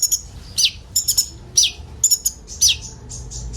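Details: Common iora song filled with borrowed phrases, sung by several birds as a sunbird lure: a chirp cluster roughly every half second, each ending in a bright, falling whistle.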